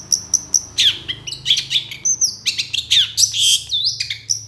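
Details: Long-tailed shrike singing energetically as a lure for other shrikes: a busy jumble of high whistles, chirps, sweeping slurs and short rasping notes delivered almost without pause.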